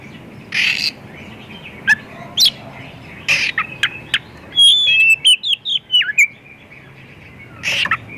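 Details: Oriental magpie-robin in full varied song, played to prompt other magpie-robins to sing; scattered harsh chattering bursts and short notes, then a quick series of clear descending whistled slurs, ending with another rasp, over a low background hum.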